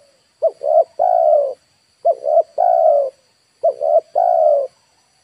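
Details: Spotted dove lure call for wild birds, Indonesia: three repeated three-part phrases, two quick coos then a long level coo, spaced about every 1.6 seconds with short silences.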